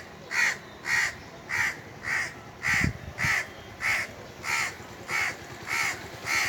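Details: Treetop Indian crows on a hot summer day, giving eleven evenly timed raspy caws, about one every half second, with a brief low thud in the middle.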